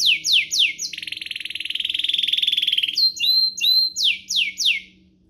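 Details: Domestic canary singing, used to provoke other canaries into song: rapid repeated descending high sweeps, then a long buzzy rattling trill, then more quick downslurred notes and short whistles.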